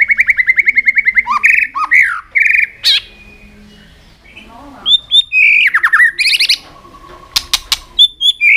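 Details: White-rumped shama singing while flicking its tail, a song to stimulate other shamas: rapid rhythmic repeated whistled notes, several per second, broken by swooping whistles, sharp clicks and brief pauses.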